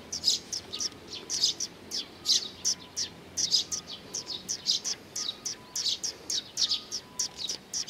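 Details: Flock of Eurasian tree sparrows arriving for food at Mizukami Bridge on 4 June 2020, giving high, clipped chirps in loose bursts roughly once a second, with a faint low hum in the background.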